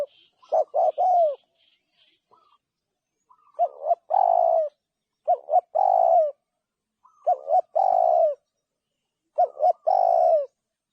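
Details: Spotted dove repeating its coo phrase about every two seconds. Quick short notes rise into a long, purring, falling coo. Faint high twitters from another bird are heard at the start.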